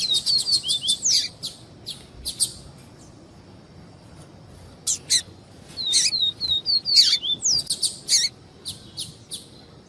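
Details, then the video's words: Papa-capim (yellow-bellied seedeater) singing the viviti song type alongside female calls, meant to stimulate males: rapid bursts of sharp high notes mixed with short whistled downslurred chips, in two busy phrases separated by a brief pause. "PAPA CAPIM VIVITI E PIADO DE FEMEA"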